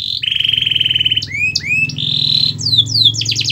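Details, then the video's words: Canary singing, used to stimulate a lazy canary to sing: a long steady buzzy trill, then upward-curving whistled slurs, another level trill and quick descending sweeps closing in a fast roll. "Kenari Anda MALAS BUNYI, Coba Putar Video Ini !!!"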